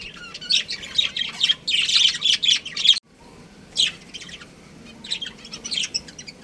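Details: Budgerigars kept as a pet breeding pair chatter rapidly in dense high chirps for three seconds, then after a sudden cut give sparser chirps and squawks.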